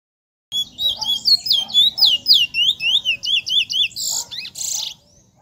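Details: Trinidad bullfinch, a bird in its first black plumage said to show lots of potential, delivers a fast, loud string of sweet zigzag whistles, about four notes a second, ending in harsher buzzy notes before falling silent.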